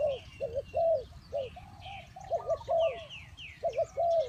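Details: Spotted dove calling with rounded, hollow coos, short notes leading into a longer drawn coo, repeated in phrases, over quiet twittering of other small birds.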